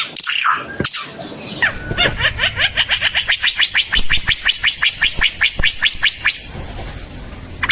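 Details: Timor red-eyed bird, locally called burung ara Timor mata merah, opening with a few harsh notes, then a long even run of sharp repeated chirps, about two to three per second, ending in quieter notes.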